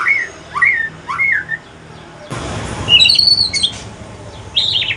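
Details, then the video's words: Male white-rumped shama from Aceh in evening pastol-style song: three looping upslurred whistles, then a sudden burst of broad noise under a high thin trilled phrase and a final buzzy note. "Kicauan sore hari murai mutasi ke pastol si paling cerewet"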